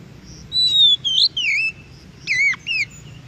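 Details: Wild Oriental magpie-robin in song, a recording used to prompt captive birds to reply: long sweet whistles that slide up and down, then sharp downslurred notes after a short pause, over faint background hiss.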